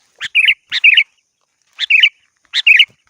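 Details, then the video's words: Sooty-headed bulbul calling a rival: four short bubbly phrases in pairs, each a sharp note followed by a warbled chirping burst, clean with no other sounds. "Suara burung kutilang gacor memanggil lawan"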